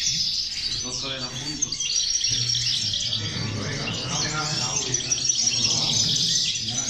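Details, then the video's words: A group of female European goldfinches in chorus, offered as a motivator for goldfinches: overlapping bright twitters and tinkling trills fill the whole stretch, over a steady low background hum. "corona de caderneras, motivador de jilgueros"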